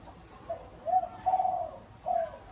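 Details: Short burst of gáy gù cooing from a spotted dove: a brief note, then a longer hollow coo and a final short phrase, low and mellow in pitch.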